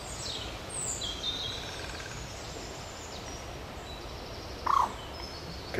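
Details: Common moorhen (Gallinula chloropus) call by water in park Oudegein, Nieuwegein, Netherlands, 6 June 2020, with rain possibly coming: a single short, abrupt croak near the end over steady background rush, with faint high small-bird chirps early on.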